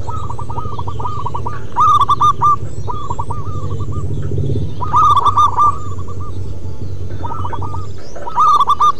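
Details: Zebra dove of a local wild line in sustained song. Stuttering runs of ringing coo notes come roughly every few seconds, some near and loud, others distant, over heavy low hum.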